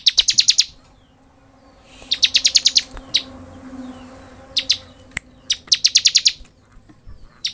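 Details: Bar-winged prinia singing in the ngebren style, used to tutor and provoke other prinias: rapid high bursts of five to seven sharp repeated chips, separated by short pauses and single clipped notes.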